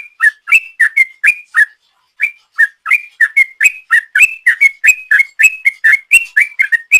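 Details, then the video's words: Sooty-headed bulbul in full voice, giving a long ropel song used as a lure: rapid burst of short whistled notes near the middle range, alternating dipping and rising slurs, roughly four per second with a brief pause; clean, quiet background. "Trucuk Gacor ropel panjang,suara ropel trucuk"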